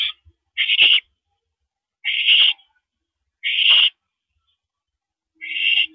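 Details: Owl calling at a mouse delivery at 9:17 PM on April 13, 2012: harsh, hissing screeches, each about half a second long, repeated roughly every one and a half seconds, with a faint low hum near the end.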